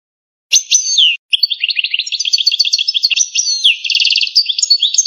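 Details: Authentic Algerian European goldfinch singing canto campero: a long, unbroken warbling song mixing slurred whistles, buzzy jangles and rapid rolling trills for over four seconds, against a silent background.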